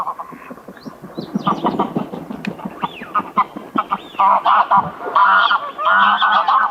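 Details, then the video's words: Greylag geese honking in a noisy flock, many harsh, nasal calls overlapping at first, then settling into stronger, drawn-out, braying honks in quick succession. "SOUND OF A GREYLAG GOOSE 🔊 What does a greylag goose sound"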